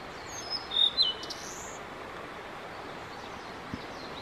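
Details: Blue-and-white flycatcher male in extended song lasting around fifteen minutes: a brief burst of two or three sharp high whistles with a quick downward slur, then quiet hiss only for the remaining seconds.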